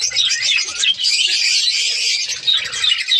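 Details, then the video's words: Budgerigars (Australian parrots) in a captive breeding colony in Pakistan during the breeding season: dense, continuous high warbling chatter from many birds at once, with overlapping chirps and squeaks throughout. "australian parrots budgies ke birds colony"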